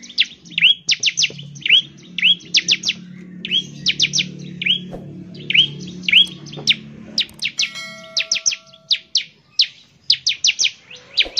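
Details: Bar-winged prinia singing vigorously to draw and trigger song in other prinias: clustered high chirps and down-slurred notes in quick bursts, over a low hum, with a brief electronic tone near the end.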